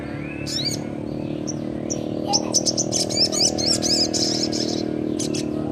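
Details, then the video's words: Young sogon singing energetically in a continuous 'ngleper' style: rapid, high, sharp chirps and short whistled notes, some rising, in dense bursts over a steady low hum. "Burung Sogon muda Gacorr ful ngleper"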